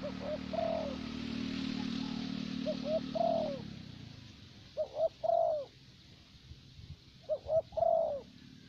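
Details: Spotted dove kept as a decoy bird in Vietnam, of the type locally prized as a steady, long-lived caller. A low background hum fades out, then short two-note coos each lead into a long, falling, mellow croon, repeated in phrases.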